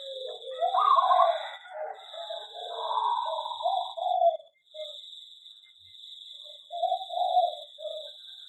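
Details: Caged zebra dove in an aviary gives a burst of purring, trilled cooing that fades into softer, spaced coo notes, with a steady high electrical-like whine behind it.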